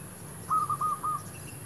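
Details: Zebra dove near shops, decoy used to lure wild doves: four quick, evenly spaced whistled notes at steady mid pitch, each flat and clear, over low background hum.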